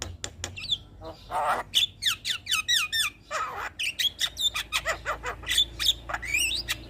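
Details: Javan myna song meant as a master and lure recording: dense, varied chatter of sharp clicks, falling whistled slurs and a grating rasp, repeated several times a second with barely a break.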